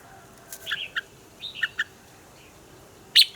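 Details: Red-whiskered bulbul in morning double-note song, a mature wild bird: a few short, bright chirped notes in pairs, then one louder burst at the end over faint background hiss.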